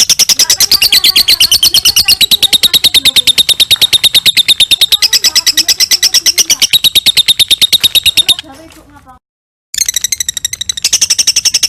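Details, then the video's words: Lovebird singing a long ngekek trill meant for training other birds: steady rapid high chirps for about eight seconds, shifting between two pitch levels, a brief gap, then the trill continues. "LOVEBIRD NGEKEK - LOVE BIRD NGEKEK PANJANG COCOK BUAT MASTERAN"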